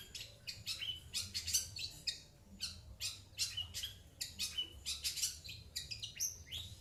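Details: Caged pet long-tailed shrike, recorded around January 2021, answering coughing sounds with a rapid series of harsh, scratchy, high-pitched calls repeated several times a second over a low indoor hum.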